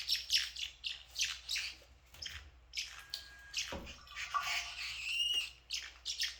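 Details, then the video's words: Pet blue parrotlets chirping: rapid high, scratchy chirps in bursts, a short pause, then more chirps with a thin whistled note. A single dull knock sounds midway, and a faint low hum runs underneath. "Make fun of my blue parrotlets, special chirp sound"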